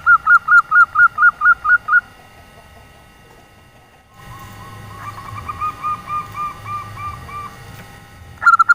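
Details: Local female zebra dove in nyelir style, calling to draw in males that seldom sing: a loud string of about ten crisp staccato notes, then a pause and a softer, more distant answering series.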